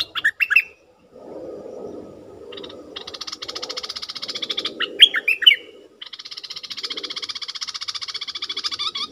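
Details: Decoy bulbul calling at wild birds: a few sharp whistles, then long buzzy, rattling chatters lasting a second or more, broken by clear slurred notes, over a low rumbling background.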